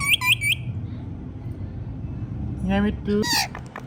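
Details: Pet rose-ringed parakeet, a green ringneck, talking and saying mithu mithu: three quick shrill looping notes, a pause, then voice-like harmonic syllables with a harsh squawk near the end, over steady background hum.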